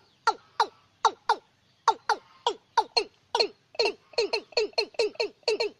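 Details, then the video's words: Watercock lure call for nights in lunar months six to ten: paired, clucking notes falling in pitch, speeding up into a dense, quick run of gulping notes toward the end. "Tiếng Cúm Núm Đôi Đánh Đêm Hiệu Quả"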